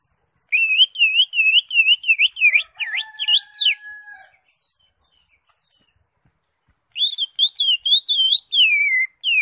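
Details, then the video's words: Greater green leafbird singing ngekek: a long, rapid string of high, bouncing whistled notes, broken by a few harsher upward-sweeping notes, then silence before another fast run of repeated wavy notes. "CUCAK IJO SUPER NGEKEK"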